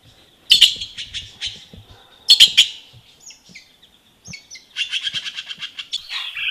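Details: Red-billed blue magpie calling in Sattal, Uttarakhand, India: two loud, scratchy chattering bursts about two seconds apart, a few scattered notes, then a longer run of fast rasping pulses near the end, with faint low knocks beneath.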